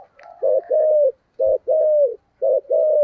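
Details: Decoy spotted dove cooing in giọng thổ voice: three evenly spaced pairs of deep coos, each a short note then a long flat drawn one, about one pair per second, with a faint thin whistle behind.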